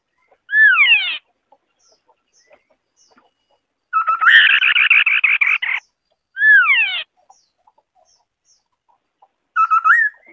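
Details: Singing white-browed scimitar babbler: descending slurred whistles alternate with a long fast run of buzzy, evenly repeated notes, then more falling whistles and a short rising hooted phrase, set against quiet background.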